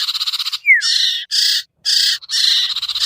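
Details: Brief sirtu lure sound meant to draw birds down, with a clear whistle sweeping downward between fast, buzzy, rattling bursts.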